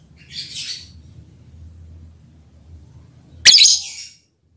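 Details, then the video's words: A lovebird's mating call to its male partner: a soft, high, hissing note at the start, then after a pause one loud, harsh chirp, over a faint low hum. "Lovebird's mating call and its effect on the male partner"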